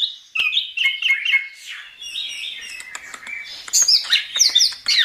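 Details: Chestnut-capped thrush singing gacor, recorded as a training track: varied warbled phrases mixing clear whistles, harsh chatter and sharp clicks, ending in higher, twittering notes.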